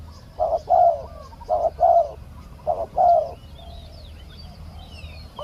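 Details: Spotted dove decoy calling while a wild small-voiced dove is lured down for capture; three low coo phrases, each a short note then a longer wavering one, followed by quiet with thin whistles of other birds.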